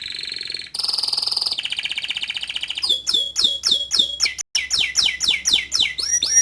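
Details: Vigorous canary song shifting from buzzy, steady rolls to quick chirping tours of repeated sweeping notes, with a brief break before another rapid series.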